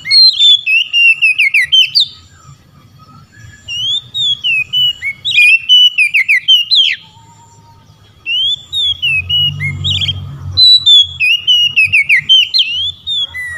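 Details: Oriental magpie-robin singing loudly to call rival magpie-robins, which answer: bursts of rapid, varied whistled and buzzy notes, rising and falling, in phrases of about two seconds separated by short pauses, with faint low rumbling beneath.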